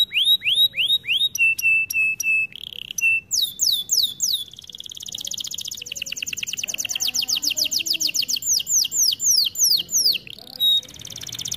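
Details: Canary song for training: curving whistled notes and flat piping tones, followed by a long rolling run of rapid chirps that slows into loud down-slurred whistles.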